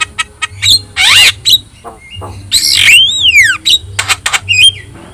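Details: Energetic song of a yellow-eyed Javan myna meant to teach other birds: harsh rasping bursts, a long rising-then-falling whistled slur, clicks and a short warbled phrase, low hum underneath.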